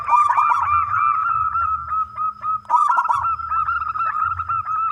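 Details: Local zebra dove with a big voice singing to lure other doves. Fast rolling coos repeat almost nonstop, twice broken by crackling bursts, above a low hum.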